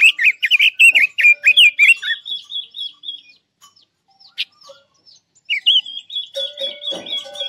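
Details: Captive Chinese hwamei kept as a trapping lure bird. It sings loud, rich whistled phrases rising and falling quickly, then, after a brief pause, long even whistles mixed with sharp chattering notes.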